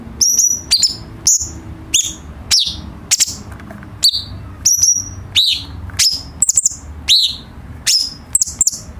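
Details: Cucak cungkok bulbul song, used as a tutor for training captive birds: loud, high whistled notes sweeping sharply downward, given in short bursts about every half second, with a faint low hum behind.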